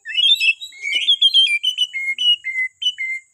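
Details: White-rumped shama from Borneo used as a morning singing prompt for other birds: clear, high whistled notes in short separated phrases, several falling and levelling off, with no other sound.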